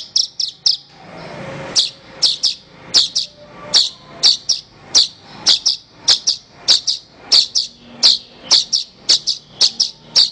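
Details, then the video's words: Horsfield's bush lark (branjangan) song used to train other songbirds. High, sharp chirps come in quick pairs and triplets with a steady clicking rhythm. A short rushing noise breaks in near the start. "Ocehan Suara Burung Branjangan"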